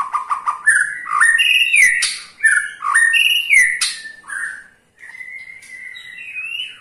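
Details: Caged white-rumped shama (murai batu) in Indonesia giving a ketrekan intended to make other shamas sing: quick clicks leading into loud slurred whistled phrases, then softer long whistles after a brief pause.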